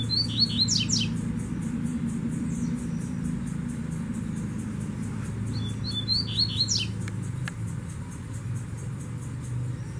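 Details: Brown-plumaged Double-collared seedeater in the bush, drawn in by a female during handling: two short bursts of high, fast chirping notes ending in quick sweeping trills, about five seconds apart, over a steady low engine rumble.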